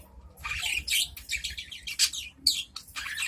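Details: Adult budgerigars in a cage calling back and forth to each other, a bright, high, scratchy chatter of warbled chirps and squeaks in quick bursts.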